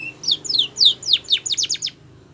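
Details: Short phrase from a Spanish Timbrado canary singing for training: a few drawn-out falling whistles followed by a quicker run of sharp descending notes.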